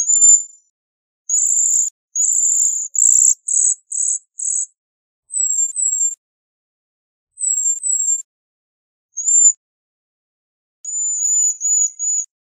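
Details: A Bohemian waxwing gives a series of very high, sibilant, buzzy trills in bunched groups. Some are short and clipped, others longer and slightly falling, with gaps of silence between runs and a final thin, wavering trill.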